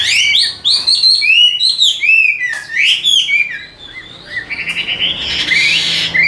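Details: Hwamei with golden legs and bill, kept as a caged songbird in Vietnam, singing a loud, varied run of clear whistled phrases, rising and falling slurs and quick repeated notes, ending in a harsher buzzy burst.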